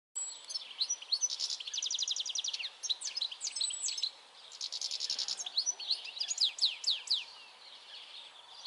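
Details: European goldfinch singing a fast, twittering song of buzzy trills and liquid chirps, broken into bursts with short pauses, over a steady background hiss.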